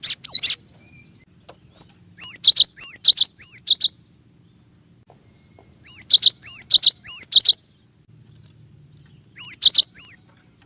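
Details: Clear song of the cinereous tit, gelatik batu in Indonesian, showing 'tembakan' variation: three bursts of rapid bright chirps, each about six to eight notes long, separated by short silences.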